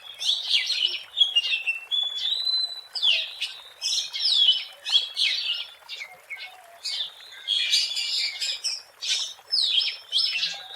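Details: Oriental magpie-robin singing energetically in the wild, a recording meant as a lure: dense run of high chirps, whistled slurs and scratchy notes in quick bursts, with faint lower notes in the background.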